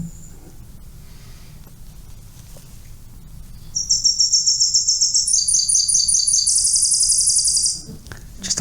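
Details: Tennessee Warbler song, nicknamed the sewing machine, a common passage migrant that is hard to spot: after quiet, a fast running series of high, evenly repeated notes, shifting into a quicker, higher trill near the end, lasting about four seconds.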